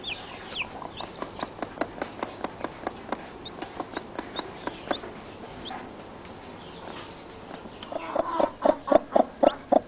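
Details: Newly hatched chicks with their mother, peeping continuously to keep her close; a long run of short, even clicks or cheeps about four a second, with a louder burst of clustered notes near the end.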